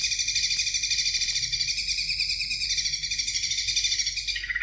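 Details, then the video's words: Greater green leafbird singing to spur young birds into song: a dense, unbroken high chatter of rapid pulsed notes layered over several pitches, steady for over four seconds before dropping slightly at the end, with faint low hum. "CUCAK IJO BIKIN JUNIOR NGETOP GACOR NGEPLONG"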